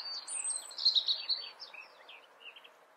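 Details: Robin from the Eifel, Germany, giving a varied song phrase: a thin, very high drawn-out whistle, then loud twittering and sparkling notes that trail off into softer, scattered chirps.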